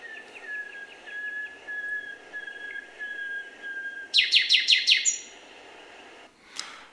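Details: Male common nightingale singing a song strophe: a run of short clear whistles, about three per second, then a burst of loud rapid buzzy notes and a final sharp note. Each male has about 200 different strophes.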